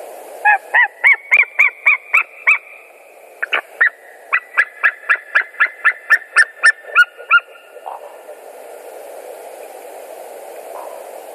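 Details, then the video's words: White-tailed Eagle pair calling together at their nest in Latvia on 25 February 2019 at 17:34 as a stranger eagle flies over; a fast series of about twenty sharp, high yelping notes with a short pause, then wind. "17:34 stranger fly by above the nest, both called"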